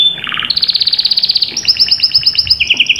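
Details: Canary delivering a continuous song of rapid rolling trills that step upward in pitch, changing tour every second or so, with a fast pulsed high roll at the end.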